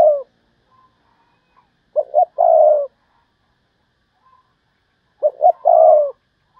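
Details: Decoy spotted dove calling in the thúc bổi style to lure wild doves: three cooing phrases, each two short clipped coos followed by one long drawn coo, about three seconds apart.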